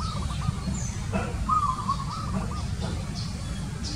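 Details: {'caption': 'Zebra dove giving quick stuttering coos, a brief trill at the start, then a longer rolling phrase of rapid notes, set against heavy low-pitched background rumble and a few thin high bird chirps.'}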